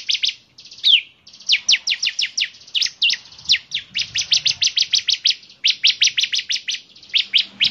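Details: {'caption': 'Bar-winged prinia in full song, its distinctive voice said to set other bar-winged prinias singing; fast trains of sharp, high, ringing chips, some upslurred, given in bursts with brief pauses.'}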